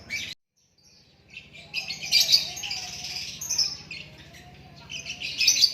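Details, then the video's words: A white-rumped shama, or murai batu, gives bright whistled and scratchy phrases that build after a brief silence, with a quiet voice in the background. "Lakbet super kicauan natural"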